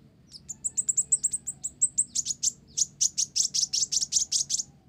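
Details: Olive-backed sunbird in lively song filled with Java sparrow phrases: a quick string of thin high notes that shifts into a rapid, harsher, buzzy chatter of about four notes per second.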